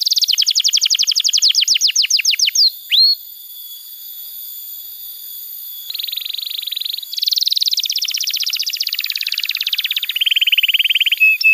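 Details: Canary song meant to tutor young canaries and to restart birds that have gone quiet: a fast rolling trill and one upswept note, a pause, then long dense buzzy rolls.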